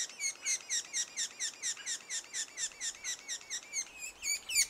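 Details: Sapsucker at its nest two days before the first fledging. High, harmonic, downward-bending notes repeat steadily about twice a second in a continuous chattering series.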